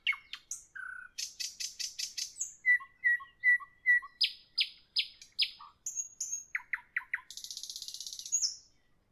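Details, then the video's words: Evening song of a nightingale, rich and varied: rapid repeated notes, a few low mellow whistles, a row of clear pure whistles, sharp upslurs, then a harsh buzzing trill to finish. "Evening nightingale, nightingale song, nightingale"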